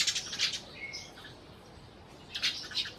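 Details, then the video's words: Sparrows in Burma with two bursts of rapid harsh chirps, a thin short whistle between them and a quiet gap in the middle. "Sparrows/ sparrow sounds"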